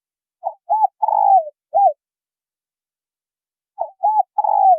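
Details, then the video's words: Male and female spotted doves coo to draw in wild doves: one full phrase of two short coos, a long downward-sliding coo and a final short note, then a second phrase begins after a pause. "Tiếng chim cu gáy trống mái thổ kích bổi"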